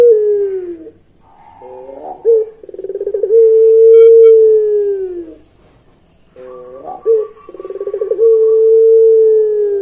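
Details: Long melodious pelung song of a Barbary dove: extended low coos bending down at the end, each preceded by quick notes and a pulsing roll. A steady higher tone briefly sounds alongside one phrase.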